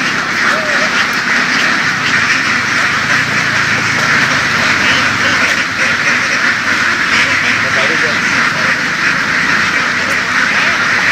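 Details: Farm-raised laying ducks driven across open fields in Vietnam's western region; many birds quack at once in an unbroken, harsh wall of sound, with a faint voice heard briefly early on.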